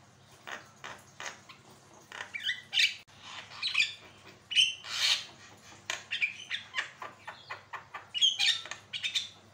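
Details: Javan myna song: a restless run of harsh chatters, squeaky whistles and rasping squawks in quick bursts, rising to louder outbursts every second or two. It is used as a tutor song to provoke other birds into singing.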